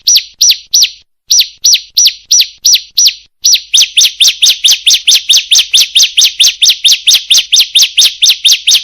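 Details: Bar-winged prinia female calling to a male, lure recording: high, clipped descending chirps, first spaced in small groups of three, then speeding into a steady rapid string of notes for five seconds.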